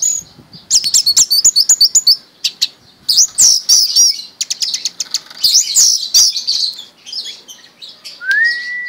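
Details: Orange-headed thrush, a pet since young, in intense 'mabok' song: dense rapid high chirping and scratchy warbling for several seconds, closing with one rising whistle.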